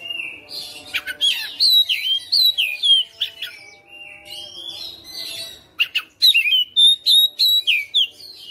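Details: Caged, home-bred Oriental magpie-robin delivering a non-stop fighter-style song that shows off its repertoire. A fast run of varied whistles, slurred upward and downward notes and sharp clicks comes in dense bursts, with a brief lull midway, then strong repeated whistled phrases.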